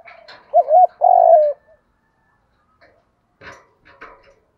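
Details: A single spotted dove lure coo, kích bổi, thúc gù voice: a wavy double note and a long throbbing coo. Scattered clicks and short noisy sounds come after it.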